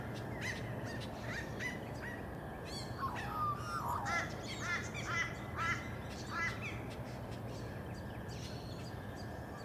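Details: Australian magpie filmed on the Sunshine Coast, Queensland, in June 2023, giving a run of gurgling, yodelling notes that rise and fall, busiest in the middle, against a steady low background hum.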